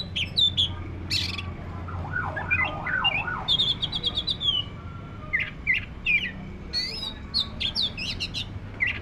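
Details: Black-breasted oriental magpie-robin in full song: chattering high notes, a wavering warbled passage, trills and rising whistles in quick succession over a low hum.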